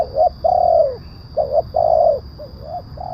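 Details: Lure call of a spotted dove, used to bring wild birds down and train captive ones: a chain of mellow coos, each long note falling at its end, given in quick succession against a faint constant high-pitched tone.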